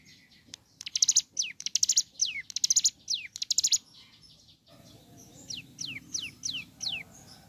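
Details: Ciblek gunung in lively morning song: high rattling buzzy bursts alternating with steeply descending whistles, roughly one per second, then a quieter run of falling whistles over a soft background hum.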